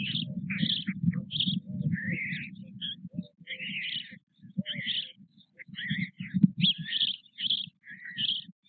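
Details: White stork chicks at the Nové Mlýny nest on 6 May 2024 give high, wheezy mewing squeals in quick repeated bursts while parents feed them, over a steady low rumble and rustling.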